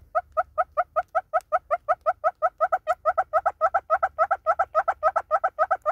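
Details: Southern red-billed hornbill singing in South Africa, a long steady series of loud hollow clucks, around thirty notes delivered evenly at about five per second, slightly building in strength, with a faint low hum beneath.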